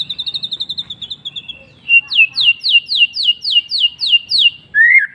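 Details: White-rumped shama singing in the afternoon: a quick chattering run of high notes, then a series of loud, sweeping, rising-then-falling whistles repeated about every half second, ending with a short upward slur.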